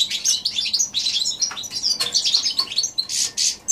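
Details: Goldfinch x canary hybrid recorded January 2016, pouring out a continuous, loud, rapid warble of twitters, trills and buzzes with hardly a break.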